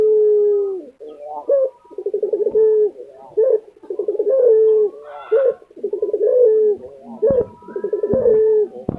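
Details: Kept lutino Barbary dove from Indonesia cooing without pause, each phrase a brief rising note followed by a throbbing roll and a drawn-out even tone, roughly thirty phrases a minute. Faint higher chirps appear midway.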